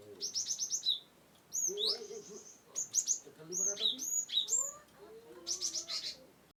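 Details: Cinereous tit from Wonosobo, a recording for coaxing birds that won't sing. High, clipped chirps and downslurred whistles come in lively clusters, with faint lower chattering behind.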